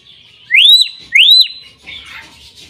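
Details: Common hill myna in energetic song, two loud upslurred whistles rising then holding level, each about half a second, followed by softer chattering notes.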